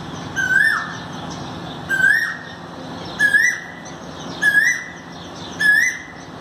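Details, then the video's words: Asian koel recorded on 5 May 2019, giving five loud rising whistled notes in a regular series, one roughly every 1.2 seconds, each a brief upward-sweeping 'koo-oo' against a faint constant hum. "कोयल Cuckoo"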